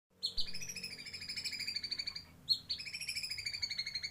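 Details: White-rumped shama singing imitated kapas tembak phrases: a bright high note, then rapid rhythmic strings of ringing, harmonic-rich chips, broken by a short gap and a sharp accent before the chattering series resumes.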